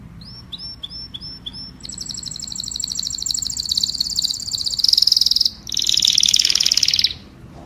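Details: Canary singing to call the flock: a run of short, hooked, whistled notes about five per second, then rapid rolling trills that grow louder, a brief break, and a final harsh buzzy trill before silence; faint low hum beneath.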